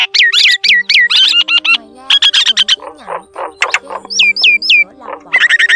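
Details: Common myna calls used to lure a wild flock for trapping: a fast, varied run of whistled, down-slurred notes mixed with harsh squawks and gurgling chatter, several calls each second, over a faint steady hum.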